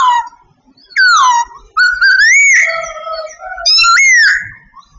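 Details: Sooty babbler of Vietnam singing: clear whistled notes, one sliding down, others rising and arching, with a steadier whistle held between phrases in a quiet indoor setting.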